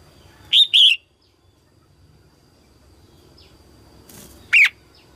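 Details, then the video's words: Early-season 2022 song of a female red-whiskered bulbul meant to stimulate males: a loud pair of arched, slightly buzzy chirps, a near-silent pause of about four seconds, then one sharp falling chirp. "Tiếng chim Chào mào mái hót kích trống đầu mùa 2022"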